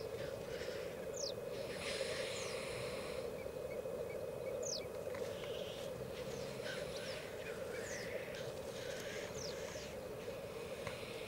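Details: Lekking black grouse, 38 cocks, Elverum, 2008. A continuous low bubbling, cooing drone from many males sounds under scattered rushing hisses. High falling whistles and a short row of faint ticks are also heard.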